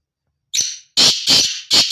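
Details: Male black francolin (kala teetar) giving its breeding call: a harsh, grating opening note followed by loud rasping notes in quick pairs. The series is cut off at the end, and there is no background noise.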